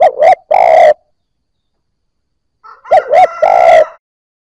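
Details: Spotted dove, a newly caught bird just starting to coo, used to stimulate other newly caught birds: two clear three-part coos, two quick rising hoots then a long rough croo, about two seconds apart, with no other sounds.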